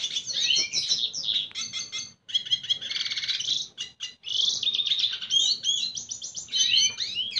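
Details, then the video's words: Courting a female, a red siskin delivers a continuous high twittering song of quick trills, buzzy rattles and sweeping whistled notes, broken by two short gaps. "Pintassilgo venezuelano cantando sedutora fêmea - Red siskin singing"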